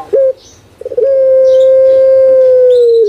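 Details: Kept puter pelung dove from Java, Indonesia, singing the prized long-toned style: a short clipped note, then a drawn-out, steady, hooting coo lasting about two seconds that sags slightly at the end.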